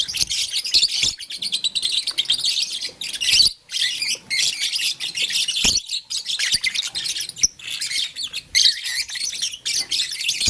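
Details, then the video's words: Nearly unbroken shrill chattering from caged lovebirds (blue, lutino and green) busy with a flower, dense high twittering with occasional brief gaps and taps. "Blue Lutino Green LoveBird Playing Flower - Chirping Sound"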